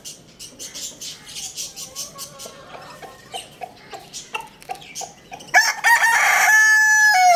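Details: Lohmann Brown rooster at Lalukhet bird market. A run of quick, sharp chirps and short calls from small birds leads into a loud, rich crow near the end, held and then sliding down.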